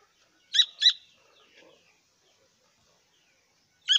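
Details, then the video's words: Grey francolin chick giving sharp, very high peeps that drop in pitch: two close together, then a third after about three seconds of near quiet. "teetar ke bacche ki awaaz"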